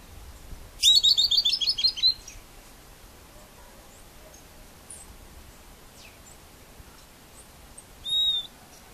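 A Southern beardless tyrannulet gives a quick, high, descending series of about ten bright piping notes, then a single short note follows later over faint background hiss.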